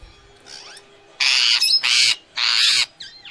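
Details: Indian ringneck parrot in natural voice: three long, broad, grating screeches, each about half a second long, after a soft, scratchy note.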